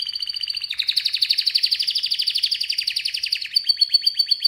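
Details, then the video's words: Canary singing a loud, fast pulsing trill of rapid repeated notes, shifting into quick downward-sweeping chirps near the end, clear and uninterrupted. "Canary's voice A very beautiful canary's chirping canary's voice"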